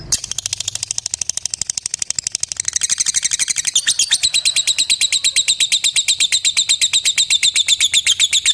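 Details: Long ngekek trill from a lovebird calling out to a rival: a dense, buzzy stream of very rapid high notes that speeds up and grows louder after a few seconds, continuing unbroken.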